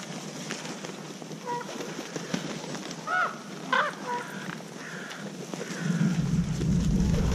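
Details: A common raven gives food calls, which indicate the sender's age and sex, at a feeding site with boars: about six hoarse, hollow, slightly rising calls at uneven intervals over a steady outdoor hiss, with a low rumble building near the end.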